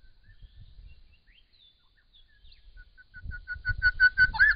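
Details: Grey shrike-thrush singing in spring: soft scattered whistles at first, then a run of clear repeated notes at about three per second, closing on a louder rising whistled phrase, with low rumbling noise underneath.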